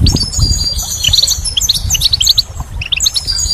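A goldfinch sings a rapid, tinkling run of high twittering notes, with low rumbling wind or handling noise underneath.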